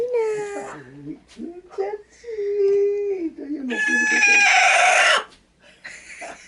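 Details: Pet hen indoors, getting ready to lay an egg inside a bag of chicken feed, cackling when approached: wavering, nasal tonal notes with some dips, then a loud, harsh, drawn-out squawk lasting over a second, followed by softer notes.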